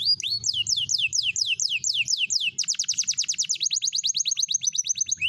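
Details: A green canary sings long rolling tours: swooping descending notes repeated about twice a second, then a rapid buzzy trill and a high chattering run, with a faint low hum underneath.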